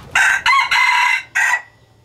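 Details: Crow of a captive 'Nyia Doua' Laos strain breeder rooster from a hybrid red junglefowl breeding program: four loud, harsh, harmonic bursts over about 1.5 seconds, the third longest and sustained, with a short gap before the last, ending abruptly.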